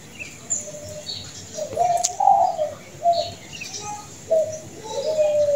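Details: Zebra dove, perkutut, presented as a world champion singer with a melodious, long voice: a series of soft, mellow cooing notes, some short and some drawn out, over steady background hiss and other faint bird calls.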